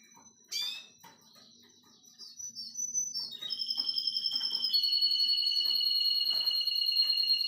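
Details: Russian canary song from a nine-year-old male tutoring his grandchildren: scattered chirps build into a loud, steady, high rolling trill that holds for the last four seconds, with faint stacked whistles above.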